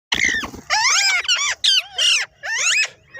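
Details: A parrot gives a series of loud, harsh squawks and screeches in short bursts, each with bending, layered tones, separated by brief pauses.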